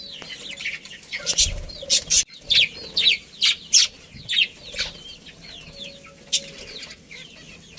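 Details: A budgerigar colony with a breeding pair, chirping in a rapid run of bright notes about three per second, over steady twittering of many budgies.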